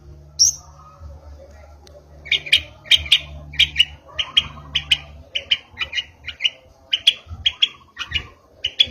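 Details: Juvenile long-tailed shrike, recently moulted from spotted plumage, practising song material: a high opening note, then a steady series of harsh scratchy notes repeated roughly twice a second, over a low mechanical hum.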